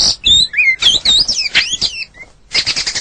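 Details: Rapid varied song of a white-rumped shama from a full-length training recording with fill-in phrases: high swooping whistles and slurred notes tumble together, a short pause, then a dense burst of high chattering notes.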